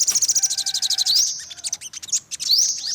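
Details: Olive-backed sunbird producing a quick, high, pulsed trill that breaks into short, steeply rising sweeps and scattered thin notes.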